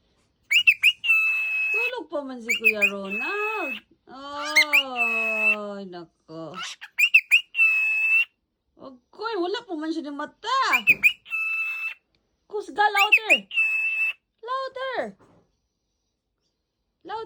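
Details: A pet cockatiel being woken up mixes steady high whistled notes with squawky, speech-like chatter in quick bursts.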